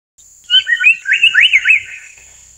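Amur paradise flycatcher giving a quick run of harsh, rasping chatter notes lasting just over a second, over a steady high insect whine.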